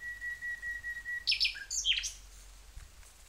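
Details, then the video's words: Nightingale song: a long, steady whistled note held for over a second, then a sudden burst of high, rapid chattering and sweeping notes lasting under a second before fading to quiet background. "Nightingale's sound & song"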